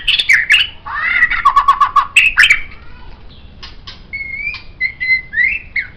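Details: Song of a white-rumped shama for use as a songbird tutor: a burst of squawky, buzzy notes and a rattling trill, followed by softer, level whistles repeated with short gaps.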